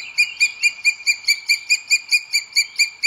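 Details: Booted eagle calling loudly at its nest webcam in Sierra de Guadarrama, Spain, 2 June 2022, while the male brings food to the female. It gives a rapid, ringing series of clear, piping notes, roughly four or five per second, steady and even throughout.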